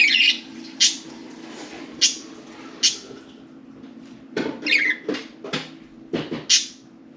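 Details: Four budgerigars playing and talking inside and on top of their cage; sharp clicks and a few brief squeaky chirps, mixed with knocks and rattling cage sounds and a low hum.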